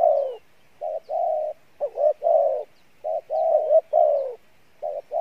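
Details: Spotted dove cooing in the Pha Bài Lối style, praised for a good voice: low, mellow hooted phrases with short rising-falling notes and longer steady coos, repeated in bursts over a quiet background.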